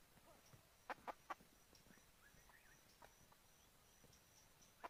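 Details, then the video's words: Chicken giving short, clipped clucks, three in quick succession early on, then scattered single clucks, against a constant background hiss with faint thin chirps. "Suab qaib seev zoo mloog"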